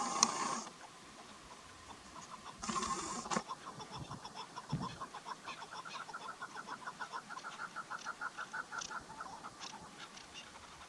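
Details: Female chukar partridge calling, a sound used as a hunting lure; a long run of short clucking notes repeated about three times a second and slowly quickening, after a few louder bursts of noise at the start.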